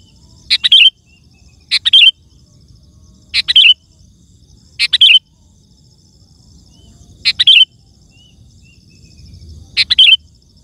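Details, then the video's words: Sooty-headed bulbul singing to lure wild birds, brief bright bubbling phrases of quick falling whistles repeated every one to two seconds, with low steady background noise. "Suara Burung Kutilang Gacor❗ Lantang Bikin Gacor Kutilang Lain"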